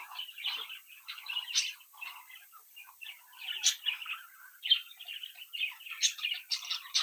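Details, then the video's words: Home-bred budgerigar chicks in captivity, talking, tweeting, singing and mimicking indoors: continuous warbling chatter of short chirps, punctuated by several sharp, bright clicks. "Sonidos de Mi Cría de Periquitos Australianos que estimula a tu Periquito Solitario"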